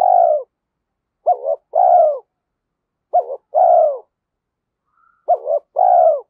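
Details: Stimulated decoy spotted dove cooing steadily in the giọng thổ voice. The clip opens with the end of one croo, then three full phrases follow: a quick paired lead-in and a long falling coo, about every two seconds.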